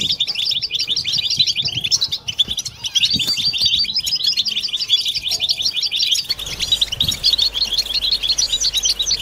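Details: Collective European goldfinch song, played to push silent goldfinches and females into mating song. Unbroken, crowded tinkling and liquid twitters fill the whole stretch, with a faint low hum entering after six seconds.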